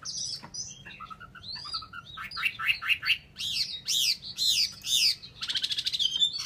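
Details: Vietnamese caged Chinese hwamei sings a mix of short whistles, then strong repeated downslurred notes about twice a second, closing with a rapid buzzy trill; low hum in background.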